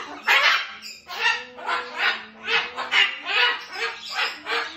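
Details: Two cockatoos kept as pets call before bed, giving loud, drawn-out raspy screeches roughly once a second in a steady, rolling pattern.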